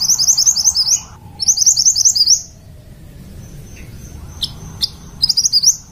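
A fairywren sings rapid, high, sizzling trills in bursts of about a second, with brief pauses and a few sharp separate notes between.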